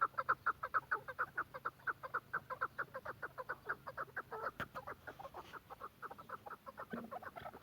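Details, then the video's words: Quetta chukar partridge producing a regular series of clipped clucking notes, strongest at the start, then gradually softening and becoming less even, with one brief click midway. "کوئٹہ چکور کی مستی کا شوق کریں be font of quetta partridge"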